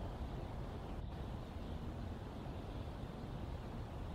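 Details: Dense low rumble and wind-like roar fill the whole stretch with no animal call.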